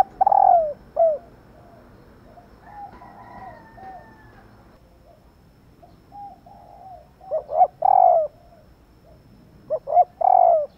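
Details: Female spotted dove calling to stimulate male doves to coo, in two bursts of low hooting coos, each a short note, a swelling note and a drawn-out, slightly falling coo, with fainter soft coos between the bursts.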